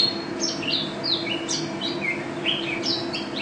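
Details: Mountain white-eye (pleci), national first-place winner, pours out quick high slurred whistles, each note dropping in pitch, in continuous 'gacor' delivery with 'teler' and 'ropel' style; low mechanical hum behind.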